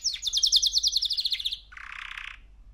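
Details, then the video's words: Three-month-old male canary singing: a fast trill of repeated high notes for about a second and a half, followed by a harsher buzzy, noisy burst. "Kanarya Sesi 3 Aylık Erkek Canary"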